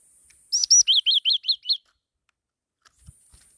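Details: Caged black-throated laughingthrush kept as an ornamental bird, giving a rapid series of about seven bright, arched chirping notes in under a second and a half, high-pitched and evenly spaced, then silence with a faint background hiss.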